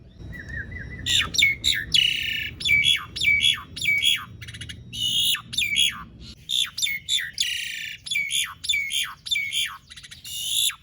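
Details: Asian pied starling song for prompting silent starlings to sing: after a brief falling whistle, loud harsh rasping notes with downward tails repeat steadily, roughly two per second.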